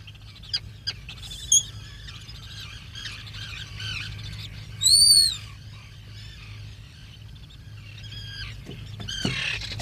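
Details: Black guillemot at its nesting burrow during the once-yearly breeding season ashore, 2022: high, thin whistles, one loud drawn-out arched whistle in the middle, and scattered squeaky peeps over a low steady hum.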